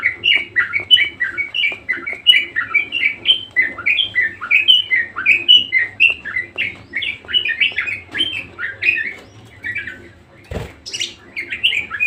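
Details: Energetic budgerigar chatter: a long, dense, rapid string of squeaky chirps and warbled notes, repeated many times a second, broken briefly by one sharp click near the end.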